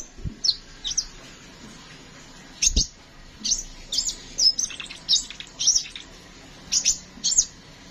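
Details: Kolibri ninja, a songbird kept for tutoring other cage birds, singing a long rolling varied song: short high chirps and trills in bursts about every half second, with faint low thuds.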